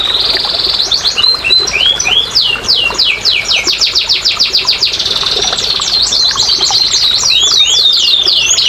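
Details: Canary singing, played to coax silent canaries into song: fast trills of sharp descending notes, a steady buzzy tone underneath, then a second burst of quick sweeping phrases.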